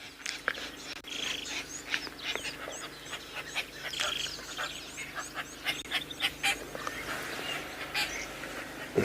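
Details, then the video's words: On a sunny morning after rain on 23 November 2021 in Djuma Private Game Reserve, South Africa, Lilac-breasted Rollers overhead, apparently settling territory, give loud, harsh, rasping squawks in rapid overlapping bursts, with faint bird chatter behind. "The lilac-breasted roller making some noise above our head."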